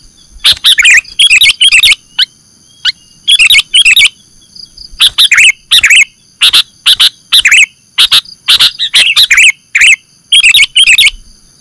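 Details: Lure recording of the sooty-headed bulbul, known in Indonesia as kutilang, for catching birds: dense, loud chattering chirps in quick clusters with brief pauses, continuing throughout, over a steady high background tone.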